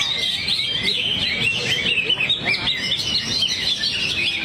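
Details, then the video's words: Greater green leafbird showing off its repertoire in a loud, rapid, high twittering medley of chirps and short whistles, nearly continuous, with light background murmur. "Cucak Hijau"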